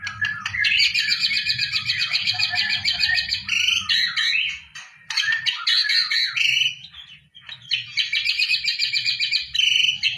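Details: White-rumped shama song used as preparation for a singing contest; loud, dense, high-pitched chattering trills and squeaky phrases in long bursts separated by short pauses, with low rumbling underneath.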